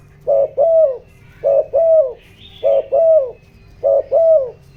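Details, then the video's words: Spotted dove kept as a decoy, calling in the 'giọng đồng' style to excite wild doves; four regular pairs of coos, each a brief note then a longer falling one, about every 1.2 seconds, with a faint distant chirp. "tiếng chim cu gáy kích bổi, tiếng chim cu gáy giọng đồng ,tiếng chim cu gáy hợp bổi"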